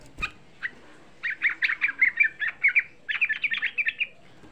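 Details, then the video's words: Yellow-vented bulbul, young, singing to provoke other bulbuls: a click, then two tight runs of quick, bubbly, chattering whistles about a second apart, roughly one hundred notes per minute. "Suara Pancingan Trucuk Muda Ampuh Menaikkan EMOSI, Suara Trucuk Muda Bikin Semua trucukan EMOSI"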